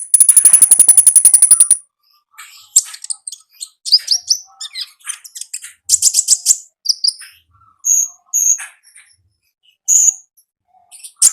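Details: Konin recorded in the wild, singing energetically: a fast, rattling burst of very high repeated notes, then scattered sharp chirps and short whistled phrases with brief pauses between.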